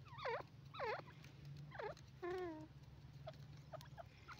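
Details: Grey francolin, known locally as dakhni teetar, calling: three loud harmonic notes each sweeping steeply downward, spaced about half a second to a second apart, then a longer flat nasal note and a few faint short notes over a steady low hum.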